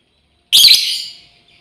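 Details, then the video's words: One sharp, shrill, rasping chirp from a female lovebird calling out to companions, starting abruptly and trailing off within about half a second, then quiet. "SUARA PEMANGGILAN BURUNG LOBEBIRD//BETINA MEMANGGIL KAWAN"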